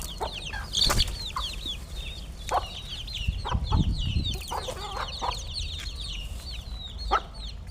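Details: Chickens at feeding time, giving a busy stream of thin, high, curved peeps that overlap constantly, broken by loud clattering thumps and a low rumbling noise in the background.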